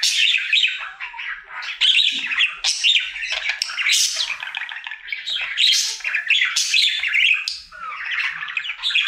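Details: Male pet budgerigar sings in his daily routine, a steady stream of twittering, scratchy chatter with high squeaks and clicks in quick succession, nine seconds with hardly a break.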